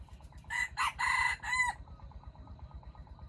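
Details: Single crow from a wild red junglefowl caught using bait, four harsh segments lasting just over a second, followed by quieter repeated pulsing chatter and low rumbling in the background.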